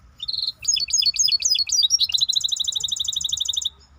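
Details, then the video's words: Maestro bird song: a short high whistle, then a run of varied chirping notes that slides into a long rapid high trill lasting over a second before breaking off, over quiet hum. "احلى تغريد مباشر لطائر المايسترو 🐦The best direct tweet of the Maestro bird"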